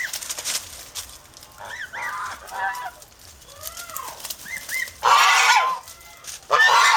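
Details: Domestic geese in an over-protective farm flock in the Philippines give scattered nasal honks, some rising and falling, between quieter gaps, with bursts of broadband noise near the end.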